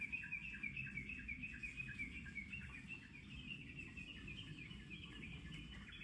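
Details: Japanese bush warbler singing in summer near Kamakura, Japan: a rapid run of short, bright chirping notes at roughly three per second, somewhat uneven, continuing for about six seconds over a steady low rumble of background noise.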